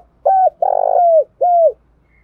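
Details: Trained decoy spotted dove cooing and calling strongly: a short coo, then a longer rolling coo that slides down, a pause, and a final falling coo, all low and mellow, against a quiet background.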